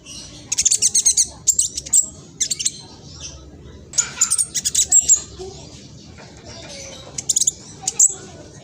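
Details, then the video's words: Speckled young black sunbird, East Java, Indonesia, giving a fast, chattering song recorded on a phone as a lure for rivals. High chirping bursts come in groups separated by quiet pauses. "PANCINGAN KING KONIN TROTOL AMPUH BUAT KING KONIN LAIN CEPAT BUNYI"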